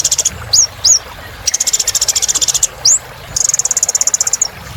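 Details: Olive-backed sunbird in strong song for encouraging non-singing birds: a few short rising whistles, then two long, fast, even trills of high ticking notes separated by a single upslurred whistle.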